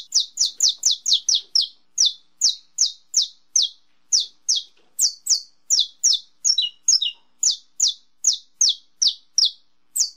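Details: Long bout of estalo song from a saffron finch, called canário-da-terra: around thirty sharp, high, descending snaps over ten seconds. A rapid opening volley gives way to a steadier beat, with a brief cluster of stepped double notes partway through.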